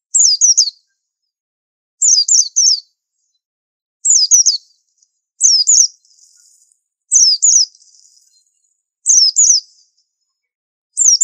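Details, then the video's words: White-eye master song, described as super unusual, given in short phrases of two or three quick falling whistles roughly every two seconds. Faint soft twittering fills a couple of the gaps, and the background is otherwise silent. "Pleci super antik masterannya harus unik"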